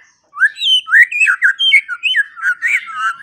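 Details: White-rumped shama song used to train songbirds mornings and evenings: a rapid flowing string of rich whistled, slurred notes, rising and falling in quick succession with almost no pauses.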